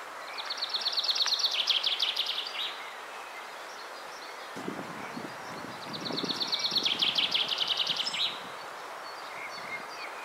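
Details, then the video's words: Common chaffinch singing between feeding on the ground and flying off; two bright descending rattling phrases, each about two seconds long and ending in a flourish, over steady background noise and some low rustling. "Chants d'oiseaux, PINSON des ARBRES"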